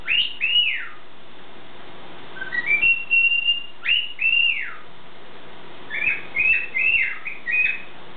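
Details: Pet bird whistling through its morning concert: paired swooping whistles, a stepped rising run into a long level tone, more arched whistles, then a fast group of short chirpy whistles over quiet background hum.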